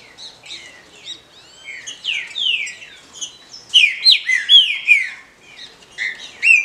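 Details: Calls of a female green-winged saltator, meant to excite males: a rapid run of high chirps and downward-sweeping slurs, growing louder and denser midway, then scattered sharp notes to the finish.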